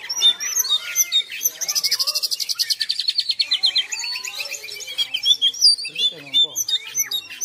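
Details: Oriental magpie-robin singing nonstop: a rapid buzzy trill of evenly pulsed notes held for about two seconds, then slides lower, followed by varied sharp whistles, chirps and slurred phrases, with other high twittering overlapping throughout.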